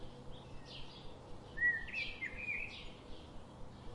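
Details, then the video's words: Wild birds giving short, clear chirps and a brief rising whistled phrase, with bright repeated high notes over a low steady background hum. "Birds sound"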